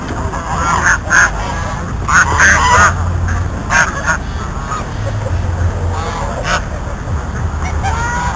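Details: Goose trying to eat the camera, giving loud harsh nasal honks in short bursts around one, two and four seconds, then a softer honk later, over a steady low rumble like an engine or wind.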